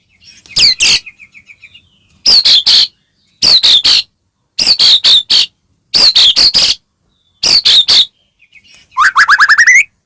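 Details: White-rumped shama of the Medan type singing hard, used to stir other shamas into song: short clusters of three or four harsh scratchy notes repeated roughly every second, closing with a fast run of rising whistled notes.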